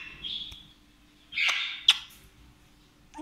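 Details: African grey parrot giving two hoarse, drawn-out screeches about a second apart, the second louder and shorter, followed by a sharp click and a brief rising chirp at the end.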